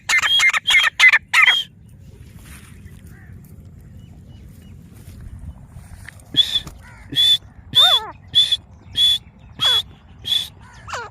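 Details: Grey francolin (teeter) from Layyah, Punjab: a short burst of rapid harsh notes, a pause of quiet background hiss, then a slower run of loud, clipped notes spaced about half a second apart, some dropping sharply in pitch.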